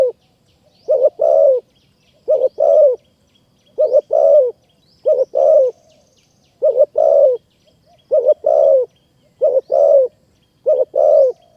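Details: Wild spotted dove in hill forest at Kanchanaburi, Thailand, coming to a decoy bird. It repeats a steady series of eight paired low coos roughly every 1.4 seconds, each pair a brief note then a fuller, burry one.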